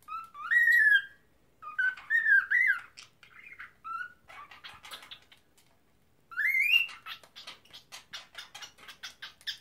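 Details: Pet cockatiel trying to talk and sing: rising and wavering whistled phrases, some in quick pairs, then a run of short scratchy chatter notes and a final upslurred whistle followed by rapid clicking chirps.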